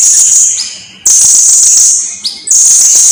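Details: Blue-crowned hanging parrot singing steadily in a long tutor recording for songbirds: sustained, very high sizzling trills about a second long, each starting loud and fading slightly, with a thin rising note in between.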